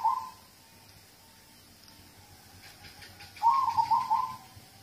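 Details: Song of a local zebra dove, meant as a prompt for other birds to sing. The tail of a coo phrase opens the clip, then a quiet gap, then a full rippling phrase of several rapid cooing pulses.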